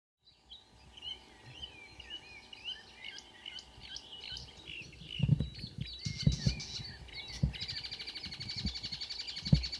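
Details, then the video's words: Marsh warbler singing at 5 a.m. on 2 June 2009 near Kråkstad, Ski, Norway, a couple of birds present: a busy, varied warble of quick chirps and slurred notes, with low thumping knocks and louder scratchy bursts in the second half. "The song of a *Acrocephalus palustris* Myrsanger / Marsh Warbler"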